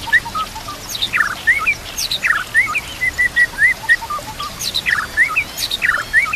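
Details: Murai batu (white-rumped shama) song for training other shamas, over nature sounds and trickling water; rhythmic series of clear upslurred whistles broken by scratchy, buzzy bursts, repeating in a steady cadence.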